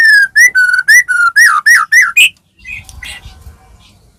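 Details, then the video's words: Medan-type white-rumped shama used to prompt other shamas to sing: a run of eight rich, whistled notes that wobble up and down, followed by softer scratchy notes and low background rumble. "murai batu gacor AMPUH buat PANCINGAN murai batu agar bunyi"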